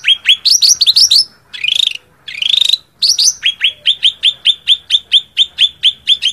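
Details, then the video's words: Cak ranting bird calling out a rival: a fast run of chirps, two drawn-out buzzy rising phrases, then steady sharp upswept notes repeated about three times a second. "suara cak ranting manggil lawan"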